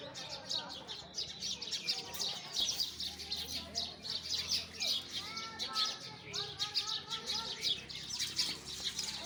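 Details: Sparrows chirping busily outdoors, a steady stream of short high tweets overlapping, with softer lower whistles and slurred notes from other birds behind.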